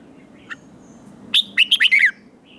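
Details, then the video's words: Red-whiskered bulbul, a wild-caught bird, singing in competition: a single lively phrase of five or six clear, slurred whistles, quiet background otherwise. "Kích Chào Mào Hót Ché/ Kích Chào Mào Bổi Hót Đấu Mới Nhất"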